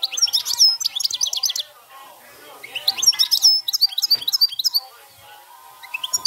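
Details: Goldfinch delivering 'cante campero' field song: quick liquid twitters and high buzzy notes in two phrases, each around one and a half seconds, with a brief quiet gap and a few chirps at the end.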